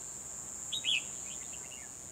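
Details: Caged decoy Red-whiskered bulbul luring wild birds during a trapping session on 12 December 2020; one loud, clear warbled phrase followed by softer chirps, set against a steady buzzing insect background.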